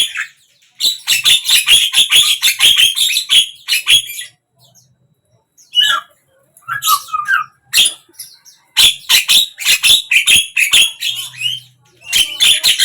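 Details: Javan myna song, recorded across morning, midday and evening: long stretches of fast, raspy clicking and chattering notes, broken by short gaps with a few whistled slurs, then more dense harsh bursts.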